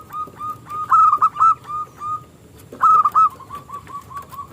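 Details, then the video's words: Small-voiced local zebra dove, a lure to provoke competing doves to sing: soft repeated cooing notes building into loud warbling rolls, a short pause, then another loud phrase trailing into quieter, evenly spaced coos. "Perkutut Lokal Gacor suara KECIL Kristal AHLINYA untuk pancingan perkutut lawan MANGGUNG"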